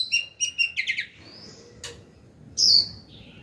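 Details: Female Oriental magpie-robin singing to call a male: a rapid run of chattering, stuttered notes, then a softer pause and one loud high whistle, with background hiss.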